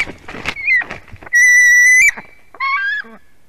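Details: White-tailed eagle chick screaming during a fish handover at the nest in Durbe, Latvia, late afternoon, 31 August 2020: a loud, sustained whistle, then a shorter, harsh, nasal call among scuffling noises.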